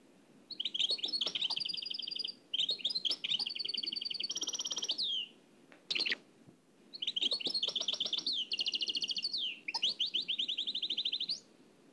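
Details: Old cassette transfer of a trained nightingale singing Oued El Alleug style: several rattling trilled phrases of rapid repeated notes, each lasting about two seconds and separated by brief pauses, one sharp chip between them.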